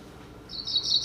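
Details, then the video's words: Cerulean warbler song, a West Virginia canopy-dwelling forest bird: a thin, high, buzzy trill in the second half, played through a speaker in a quiet room. "So the first song I'm going to play is a cerulean warbler song."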